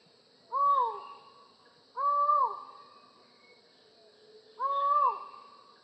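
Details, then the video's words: Collared forest falcon (Micrastur semitorquatus), a secretive bird of dense tropical rainforest canopy, gives three loud, hollow, human-like "ow" calls, each rising then dropping, about two seconds apart, over a steady high hiss. "Collared Forest Falcon Bird Sound"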